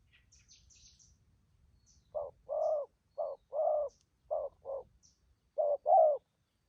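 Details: Spotted doves, newly wild-caught birds from Vietnam with strong voices, cooing in the quick 'thúc gù' style. After quiet, soft hoarse coos come in short-long pairs, with faint high chirps early on.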